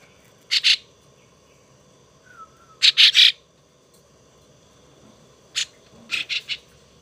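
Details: Young starling kept as a pet and being tamed utters scattered short, harsh chattering bursts in clusters of two or three. Long quiet pauses separate them, with one brief thin whistle.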